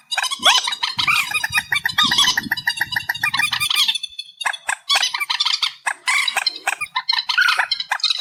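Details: Amplified reed warbler song, a continuous scratchy chatter of rapid grating notes and bursts, pausing briefly midway before resuming, with a low rumble beneath the first half.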